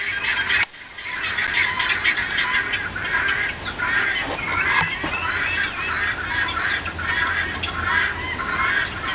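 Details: Noisy guineafowl across the road, heard from a home's porch and living room in late winter 2010; many birds give overlapping grating, repeated cackles forming a steady harsh din, with a brief dip near the start.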